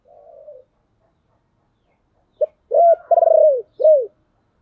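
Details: ['Spotted dove used as a lure bird, singing to call in wild doves: a faint coo, a pause, then a clipped note, rising coo, long pulsing rolled coo and a final down-slurred coo.']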